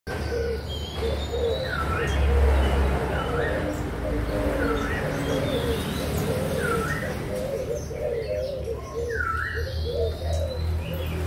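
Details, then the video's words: Young spotted doves from Malaysia and Thailand, recorded 24 June 2021: many birds coo at once in a dense, overlapping low chorus, while another bird gives a swooping whistle roughly every two seconds over steady background hum. "cu gáy malaysia và thailan non"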